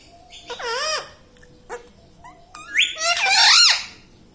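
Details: Talking pet ringneck parrot, taught words such as mummy, papa and radhe radhe. Two drawn-out, wavering harmonic cries rise and fall. The second is louder and longer, and brief squeaks sit between them.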